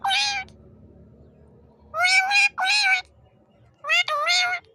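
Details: Pet talking parrot saying "mammy mammy"; three loud bursts of voice-like syllables, the second a quick double note, separated by short silences, with a low steady hum underneath.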